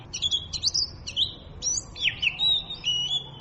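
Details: Varied song of an Oriental magpie-robin, quick high chirps and trills at first, then sweet drawn-out whistles that dip and level off, delivered at a lively pace.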